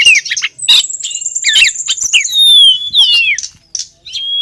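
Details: Female oriental magpie-robin calling to the male, used as a lure: a fast jumble of high whistled notes, chirps and falling slurred phrases with harsh bursts, plus one long thin high whistle and upward-sweeping notes, loud and close.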